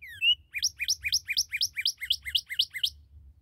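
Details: A newly captured Northern Cardinal (Cardinalis cardinalis) sings one sharp down-slurred whistle, then a fast run of about ten bright, clipped slurred notes, roughly four a second, over a low rumble.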